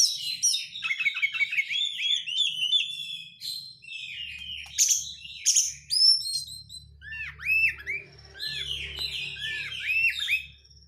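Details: Dense chattering 'crecetan' song of an Oriental magpie-robin, used as a lure to set other birds singing; packed scratchy notes and repeated downward-curving whistles over a faint low hum.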